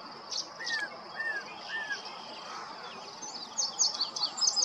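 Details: Yellow-breasted chat with three clear downslurred whistles, followed by higher, sharp buzzy and chattering notes in quick bursts. Steady background hiss.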